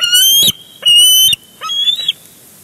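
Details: Bald eagle at a Big Bear Lake nest, 23 June 2022, during a tussle in which one eagle tackles another for a big fish. Two long, high, shrill squealing calls, then a shorter, softer rising squeal.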